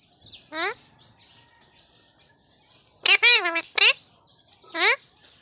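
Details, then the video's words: Talking parrot kept as a pet in Odisha, India, speaking Odia words: a short harmonic syllable, then a cluster of strongly stacked, falling and rising speech-like sounds, and a final sliding phrase, with a steady high electronic whine behind. "parrot talking everything Mithu Mithu"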